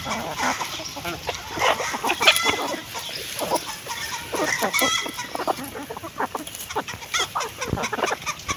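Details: Hen eating food, giving scattered short clucks among many sharp pecking and scratching clicks, with steady background noise.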